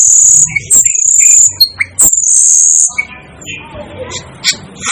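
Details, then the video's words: Asian glossy starling, the so-called 'devil' bird, producing drawn-out piercing high whistles followed by short squeaky chirps and a softer buzzy trill, with a low murmur in the background. "'DEVIL ' BIRD CALL || Asian Glossy Starling Calls Aplonis Panayensis"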